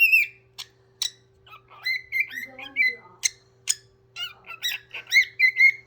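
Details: Pet parrot singing indoors: a jumble of whistled notes, clicks and warbles around mid-high pitch, with sustained wavering whistles, a faint steady hum in the background.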